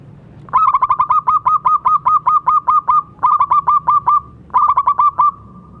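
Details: Vigorous local zebra dove used as a master voice for training other doves: a long, loud run of evenly pulsed coos, a dozen notes, then two shorter rolled bursts after brief pauses, trailing into a faint hum.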